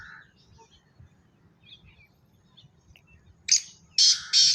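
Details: Black francolin giving a short burst of loud, harsh, buzzy notes near the end, two or three grating syllables following faint scattered chirps and a low background hum.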